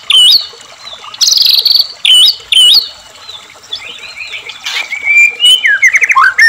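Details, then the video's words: White-rumped shama song used as a singing trigger for caged shamas: scattered loud whistled notes and short buzzy trills separated by gaps, ending in a quick series of rising whistles. "murai batu gacor AMPUH buat PANCINGAN murai agar RAJIN bunyi JADIKAN murai gacor EMOSI ngeplong"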